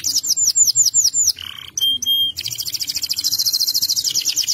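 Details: Canary song, vigorous and excited, used for mating and for training young birds: a quick series of slurred whistles, a brief lower buzzy phrase, two clear held notes, then a long, rapid, evenly pulsed high trill.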